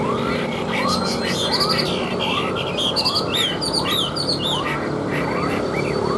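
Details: Chinese hwamei, a tame caged bird that sings when set down on a table, giving looping whistled phrases and high chattering notes above a background of short rising whistles repeated at a steady pace.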